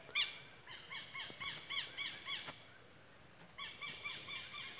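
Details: Southern lapwings at dusk on a rural smallholding as the sun sets behind a mountain: strident, harsh notes rich in overtones, repeated rapidly about four per second, breaking off briefly and then resuming, over a steady outdoor hiss.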